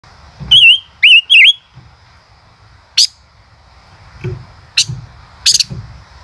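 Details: Male common rosefinch singing in the 'chế cựa hai' style: a few loud whistled notes with a wavering, up-and-down warble, then sharp dry clicks and ticks spaced through the rest, with faint low background rumble.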